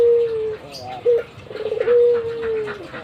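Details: Albino Barbary dove, a kept bird, cooing busily while nodding its head: a low steady tonal coo, a short clipped note, then a long drawn-out coo that sags slightly in pitch at the end.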